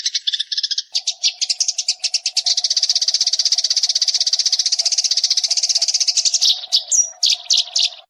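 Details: Nyrecet chatter of a Eurasian tree sparrow, a masteran recording meant to make other birds sing: a long, rapid rattle of harsh chirps, about four per second, over a faint constant hum, ending in separate sharper notes.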